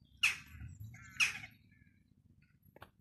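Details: Western jackdaws calling in a park at Gildredge Park, Eastbourne, East Sussex: two short, sharp, explosive 'chack' notes about a second apart, then quiet with a faint low rumble.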